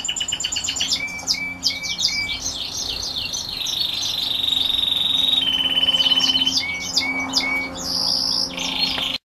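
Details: Red grey-winged canaries singing: rapid rolling trills, sharp chirps and long steady whistled notes held for a second or more, the phrases shifting pitch throughout with no other sounds intruding.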